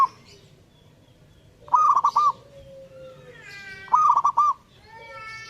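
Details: Zebra dove in active song with two rolling bursts of clipped, trilled coos about two seconds apart. Thin whistled notes and other bird calls come in between.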